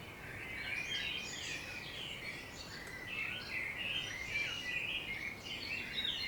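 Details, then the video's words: Outskirts of Budapest, Hungary, in the morning: many birds chirping and singing together, with rapid high twitters and short sweeping whistles packed densely over six seconds, plus a constant low background hiss. "Morning Birds Chirping Sound Effect"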